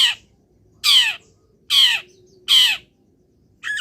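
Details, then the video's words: Caged long-tailed shrike after morning misting in sunlight gives loud, grating, downward-sliding squawks, each about a third of a second long, spaced under a second apart. "BURUNG CENDET SANGAT BAHAGIA KETIKA DI EMBUNKAN DAN KENA MATAHARI PAGI - CENDET GACOR FULL ISIAN"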